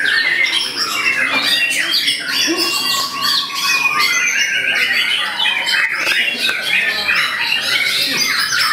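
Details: Murai batu, the white-rumped shama, in a bowing pose, delivering a full-repertoire song: rapid bursts of chattering, scratchy phrases and looping whistles packed closely, with a steady clear whistled tone sliding through the middle.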